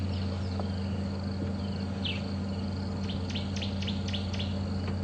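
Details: A woodland kingfisher calls faintly in the background during a morning safari drive at Djuma Game Reserve, 10 February: a high series of sharp, downslurred notes running into a quick trill, over a steady low engine rumble.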